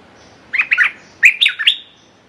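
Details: Red-whiskered bulbul used as a decoy, calling to lure a clever territorial wild bird: two quick bursts of bright, slurred whistled notes, three notes each, rising and falling, in a quiet setting.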